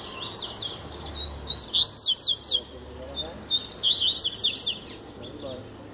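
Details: Double-collared seedeater (coleiro) singing the tui tui zel zel song style, used as a tutor song for learning: a fast series of high, sharply sweeping whistled notes in quick bursts, pausing midway, then resuming, over low background hum.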